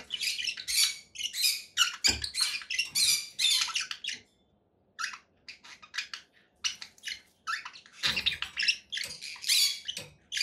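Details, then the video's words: Conure parakeet squawking in long loud harsh bursts, with a pause in the middle before more rapid screechy calls resume; faint background hiss. "7 hours of relaxing conure parakeet sounds"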